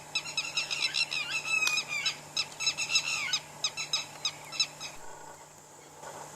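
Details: Laughing birds calling back and forth in Keoladeo National Park, India; dense, shrill chattering notes in quick rhythmic bursts that thin out and fade near the end, with a constant low hum behind.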